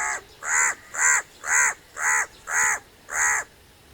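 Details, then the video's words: Crow giving six harsh, hoarse caws in a steady series, one roughly every half second, each call a broad raspy burst of even length, with a quiet background between calls. "crow bird crowing"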